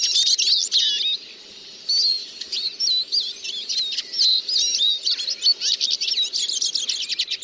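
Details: Siskin song in the finch family: an energetic opening twitter, a short pause, then a run of looping, slurred, chattering notes that quickens in the last seconds.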